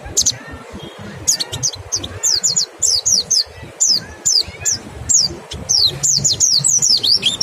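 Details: Mountain white-eye singing, offered as a lure to stimulate other birds to sing: quick bursts of high, thin, downslurred whistles and chips, coming in irregular clusters over a faint low background hum.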